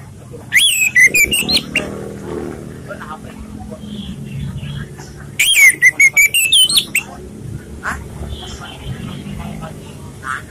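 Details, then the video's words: Orange-headed thrush in relaxed song suited to luring other birds: two separate bursts of rapid whistled, twittering phrases several seconds apart, with scattered clicks and soft low background noise between. "ANIS MERAH bersuara santai/cocok untuk pancingan"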